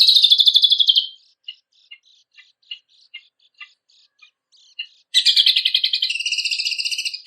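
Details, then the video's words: Loud, rapid, buzzy high trill from a kecial kombok on a contest-songbird training recording, giving way to scattered soft chips, then a second long dense rattling trill that runs to the end. "MASTERAN CUCAK KOMBOK|KECIAL KOMBOK GACOR FULL MATERI ISIAN MEWAH KOMPILASI SUARA BURUNG LOMBA"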